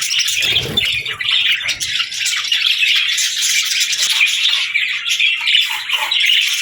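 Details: Budgies singing, a dense bright chatter of warbled chirps and tweets running without a break, with a brief low thud early on.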